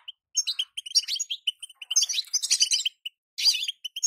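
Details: Female European goldfinch calling to hasten song in a moulting male; separate bright chirps lead into a busier, buzzy twittering passage, then a loud rasping note and a few closing tweets.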